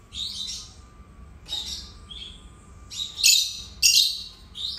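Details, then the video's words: Two pet lovebirds chirping together at home: buzzy, harsh high chirps in irregular bursts, building to two loud shrill calls near the end, over a faint hum. "Canto dos Agapórnis"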